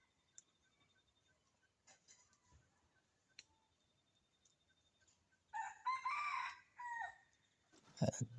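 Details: Wild red junglefowl crowing in the morning from forest right beside a house: a rough, harmonic crow of about two seconds followed by a shorter broken phrase, faint distant bird notes beforehand and a loud clatter at the end.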